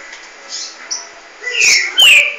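Green-winged Saltator giving two loud, clear whistled notes with sliding pitch, after a few faint soft notes at the start.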